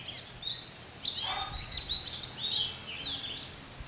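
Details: Red-whiskered bulbul used as a lure at a bird trap, pouring out lively, looping whistled phrases that swoop up and down almost without a break, with light background noise.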